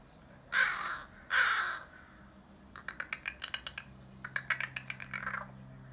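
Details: Crows calling to each other: two loud, harsh caws in the first two seconds, then a fast, irregular run of dry, sharp clicks lasting about three seconds, with a low steady hum underneath.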